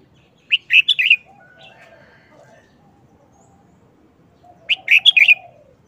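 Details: Red-whiskered bulbul sings two quick, identical bursts of sweet warbled whistles about four seconds apart. Soft, lower chirps are heard between them.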